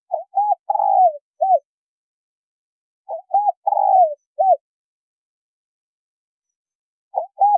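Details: Calling female spotted dove, used to excite a male into cooing: two complete phrases about three seconds apart, each short-short-long rolling-short, with the start of a third at the end, against silence.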